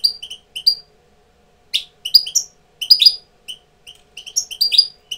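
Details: European goldfinch tutor bird coming into breeding condition; lively high twittering with quick chirps and sliding whistled notes in close succession.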